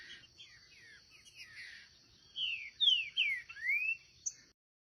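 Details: Green-winged saltator, part of a pair in the wild, delivers four clear whistled slurs: descending notes then a final rising arc. Softer warbled notes lead in, and a continuous shrill insect buzz runs underneath.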